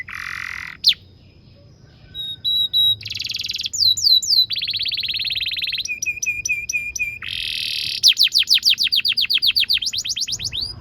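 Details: Canary song used for tutoring young canaries: a buzzy low roll, sharp chips, bright rapid trills, looping whistles and a closing series of swift descending sweeps, with soft background noise.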